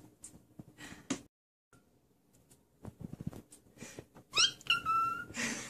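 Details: A cockatiel whistles briefly near the end, apparently a "peekaboo" whistle: a few quick upward-sweeping notes, then a clear, steady whistled tone, after soft rustling and faint breathy noise.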